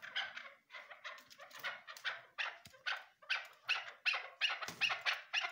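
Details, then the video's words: Calling female chukar partridge gives rapid, harsh, chattering notes, roughly two to three per second and fairly steady, each rough and broad-toned, in a quiet setting. "chakor virds voice awaz sound bast female awaz"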